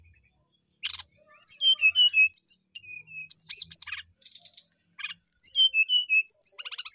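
Brown-chested jungle flycatcher singing a lively, varied song: clear high whistles, slurred notes and short buzzy trills, delivered in quick bursts with brief pauses.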